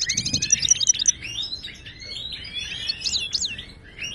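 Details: Goldfinch of Moroccan origin singing, used to tutor caged birds: a quick run of high chips at the start, then slurred twittering notes and a few rising swept calls.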